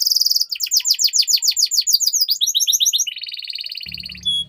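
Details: Canary song used to train young canaries: a fast rolling tour of rapid repeated downslurred notes, speeding up, then a buzzy trill, with a brief low hum near the end.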